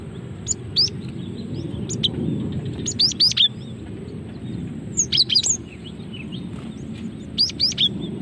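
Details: Female cinereous tit calling, used as a lure to trigger song: short groups of thin high chirps and sweeping whistles spaced a few seconds apart, over a noticeable low rushing background noise.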